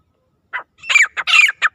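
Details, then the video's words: Wild francolin (teetar) calling, used for hunting: a single harsh burst, then a rapid cluster of loud, scratchy, squawking notes with a slight falling whistle, closely spaced with short gaps. "Wild Teetar Hunting Sound"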